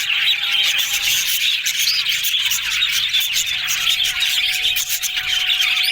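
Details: Yellow budgies talking happily fill the air with continuous high chirping and scratchy warbling from many birds, over a faint steady electrical hum.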